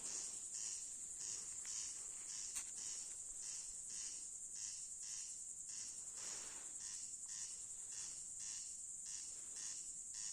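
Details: Corn crake (Crex crex) calling at night, unseen: a dry, rasping, broadband call, repeated about twice a second, over a steady high-pitched insect hiss.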